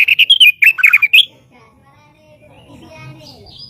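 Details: White-rumped shama singing, recorded as master audio for training other birds: a loud burst of varied, rapid chirps and slurred whistles for just over a second, then near silence with faint low background hum.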